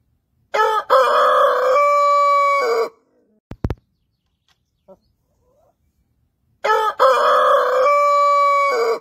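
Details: A huge Brahma rooster crows in the morning: two loud, drawn-out crows about six seconds apart, each opening with a short stutter and then holding a steady, hoarse note.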